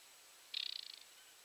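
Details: Wild aquatic warbler, called out while being watched through a telescope from a fixed camera. It gives a short dry rattle of about fifteen quick high ticks that fade over half a second, over a quiet background.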